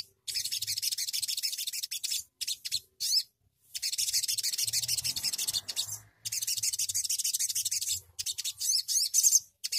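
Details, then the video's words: Sogok ontong bird singing in a fast, rolling, trilling style: dense, very high, hissy bursts of rapid notes lasting one to two seconds, broken by short silent gaps. "sogon nembak ngeroll ngleperr"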